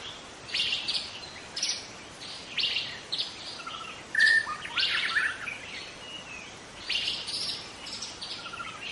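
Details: Young wild White-rumped shama singing in forest: varied whistled phrases and bright chirps between 1 and 8 thousand cycles, in bursts roughly every second, with a steady hiss of insects in the background.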